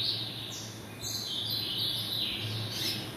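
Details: Captive double-collared seedeater kept by a domestic breeder, giving high, thin whistled notes with quick downward and upward slides, repeated rapidly over a steady low electrical hum.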